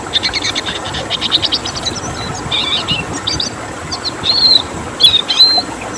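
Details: A rare, protected red siskin delivers a burst of rapid chattering notes, then slower buzzy phrases and thin rising whistles, in the 'tembakan' style, with steady hiss behind.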